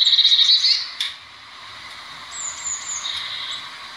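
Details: Blue tit: a loud fast buzzy trill at the start, then a single high thin whistled phrase, with soft hiss in the background.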